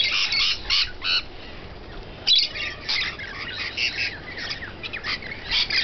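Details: Rainbow lorikeets feeding, loud rasping screeches in short repeated bursts, an excited chattering flock calling almost without pause.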